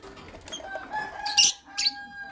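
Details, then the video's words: Creamino and Lutino Opaline lovebirds calling in the morning: two loud, harsh, high chirps close together after a stretch of quieter mid-pitched chatter. "Lovebird Chirping Sounds"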